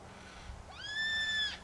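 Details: A yellow-tailed black cockatoo, one of a group along tracks in Royal National Park behind Heathcote oval, gives one drawn-out, wailing note under a second. It rises quickly, then holds steady and rich, with faint background noise.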